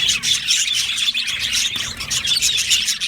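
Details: Yellow male budgies in a colony aviary chirping in a busy chorus of high warbles and squeaky notes, overlapping and steady, with rhythmic swells of loudness.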